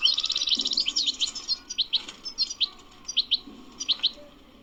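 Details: Wild goldfinch batbata twitter, connected with the Sunday bird market at Qurai'a: a fast jumbled opening burst, then spaced paired high chirps roughly every half second, fading toward the end.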